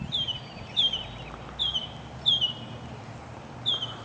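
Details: A mockingbird repeats a single clear, high, down-slurred whistle roughly every three-quarters of a second, five times in a row, over quiet background hiss.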